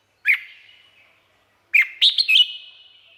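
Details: Red-whiskered bulbul in Thailand uttering one swooping chirp, then after a pause a quick lively phrase of four bright notes. The phrase fades into a steady echoing whistle.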